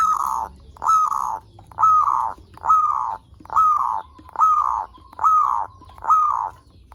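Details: Zebra dove song used as a lure to stimulate other zebra doves to sing: a steady series of mid-pitched cooing notes, each slightly rising then falling, repeated a little faster than once per second, with faint high overtones.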